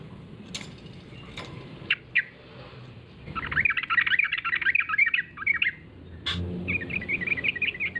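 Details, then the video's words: Yellow-vented bulbul lure call used to draw replies from other bulbuls: a few scattered sharp notes, then a loud, jumbled burst of bubbly chattering and a shorter warbling phrase at the end. "suara pancingan trucuk gacor"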